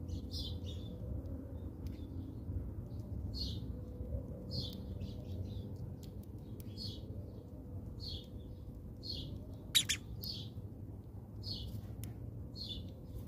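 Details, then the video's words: House sparrows at a feeder in South Africa: clear, single sharp chirps repeated roughly once a second, evenly spaced, with one louder click near the end and a faint low background hum. "Save Sparrow Birds"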